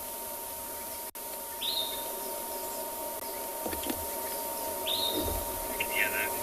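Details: Sombre greenbul calling on a South African game reserve during a morning safari: two short melodious whistles rising then levelling, about three seconds apart, followed by a brief chattering flourish, over steady insect hum and low rumble.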